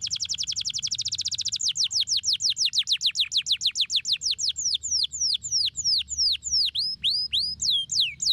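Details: Canary song to stimulate lazy canaries to sing: a long rapid trill of repeated notes gradually slowing into wide, downward-swooping whistled syllables.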